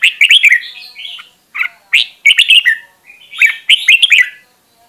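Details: Red-whiskered bulbul voice-training song: clusters of lively warbled and whistled notes with slurred descending endings, separated by brief pauses.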